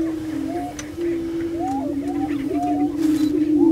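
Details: Lek of prairie chickens at Bluestem Prairie Preserve, Glyndon, Minnesota, giving a continuous deep humming drone, with several short upward-sliding whoops and cackles breaking over it.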